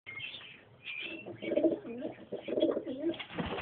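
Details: Pigeons, a pair with a youngster, cooing in low, wavering phrases repeated about once a second, with thin high chirps above the cooing.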